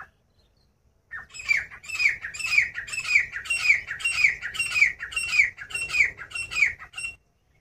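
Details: Grey francolin calling, a loud harsh rhythmic series of squawking notes repeated about twice a second, each note rasping and strongly harmonic, starting abruptly after a short silence and ending just as abruptly.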